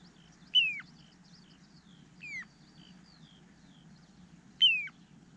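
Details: Little ringed plover giving three loud, sharply descending whistled calls, each sliding quickly downward, the second softer, spaced about two seconds apart, over a faint low steady hum.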